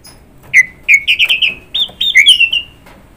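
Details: Orange-headed thrush pouring out a fast string of about a dozen bright whistled notes, slurred and varied in pitch.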